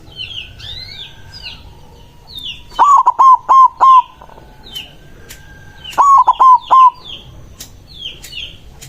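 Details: White zebra dove, a loud-voiced, lively singer whose song is said to call rivals. Two loud rolling cooing phrases, each under a second, are heard about three seconds apart. Small birds chirp continuously in the background.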